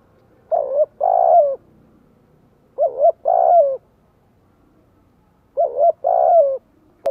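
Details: Spotted dove; coo call; calling to other doves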